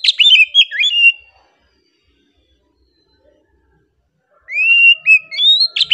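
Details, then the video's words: Oriental magpie-robin (kacer) singing a relaxed song: two bursts of clear, varied whistled phrases with sliding, rising and dipping notes, separated by about three seconds of silence, with no other sounds. "KACER KICAUAN SANTAI NYA BIKIN HATI JADI TENANG"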